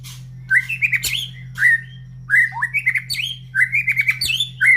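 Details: White-rumped shama kept as a cage bird, in full song: varied clear whistles, slurred upward notes and short rapid runs in bursts, with a constant low hum and a couple of sharp clicks.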